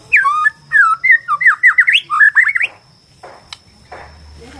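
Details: Borneo white-rumped shama song, used to provoke caged shamas into singing and fighting: a run of loud, fast, rising and falling whistled notes for about two and a half seconds, then quiet with brief rustling noise bursts.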